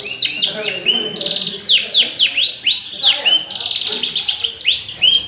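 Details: A yellow canary sings actively: a fast, unbroken stream of bright, high whistles, rolling trills and quick chirps, with varied phrases tumbling one into the next.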